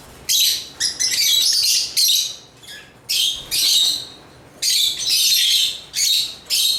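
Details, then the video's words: African lovebirds singing in repeated bursts of rasping, high-pitched chatter, each lasting one to one and a half seconds and separated by short quiet gaps, with one lower, thinner chirp in between. "African Love birds Agapornis chirps singing sounds"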